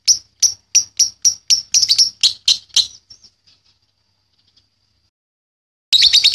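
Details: Young lovebird (balibu), kept as a tutor bird for others to learn ngekek: about ten sharp, separate high chirps spaced roughly a third of a second apart, fading out, then quiet before a brief burst of chatter.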